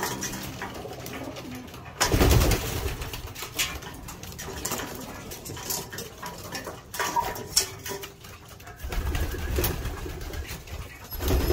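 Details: Domestic homing pigeons during their morning meal, giving deep, murmuring coos beneath frequent sharp knocks, pecking taps and bursts of flapping or shuffling noise.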